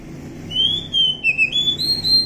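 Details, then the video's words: Wild forest Oriental magpie-robin: a smooth whistled phrase that falls, lifts again and climbs in stepped, sustained notes, with soft low-pitched background hum. "suara asli kacer hutan"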